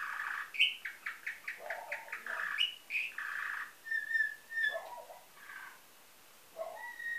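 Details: Bred canary from Varna, Bulgaria, 2013, singing a nightingale-type song: a fast series of sharp chopped notes with lower gurgles, a few clear whistles, a brief pause, then a final whistled phrase.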